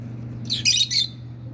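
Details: Hand-tamed pet rosy-faced lovebird pair, male and female, with one harsh high squawking burst of three quick notes over a low steady indoor hum.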